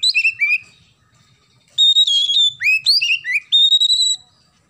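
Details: Oriental magpie-robin singing loudly with sparrow-style filling: bright whistled notes slide and flick between high and mid pitch, with rapid rising and falling slurs in two bursts. A brief quiet gap falls between them.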